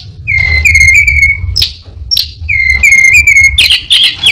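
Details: Orange-headed thrush, a very clever mimic that quickly copies other birds, singing in full voice: long steady whistles with harmonics broken by sharp upward sweeps, repeated in phrases, over a low background hum.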